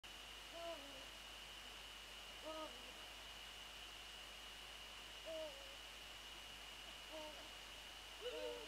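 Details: Eurasian eagle-owl close to the nest at night on 13 January 2014 around 21:05, during a prey transfer. Five short, hoarse, slightly falling calls come every one to three seconds over a steady electrical hum.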